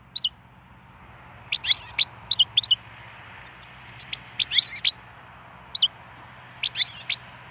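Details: A wild European goldfinch singing bright, tinkling twitters and liquid chirps in quick bursts every second or so, high-pitched and jangly, over faint background hiss.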